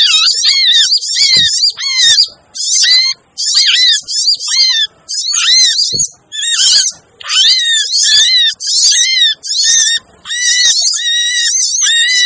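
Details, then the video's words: Busy crimson sunbird lure recording for attracting wary birds: repeated scratchy, high-pitched chattering bursts, roughly one per second, each carrying a steady lower whistled tone, with a few soft thumps. "suara pikat burung sogon ribut!"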